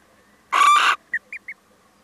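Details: A male little owl, come to visit, utters one harsh, nasal screech. Three short, clear, slightly rising notes follow in quick succession.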